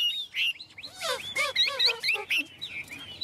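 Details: Chinese hwamei, a tame cage bird, delivering a dense, varied song: rich whistles mixed with harsh, buzzy bursts and quick looping notes, barely pausing.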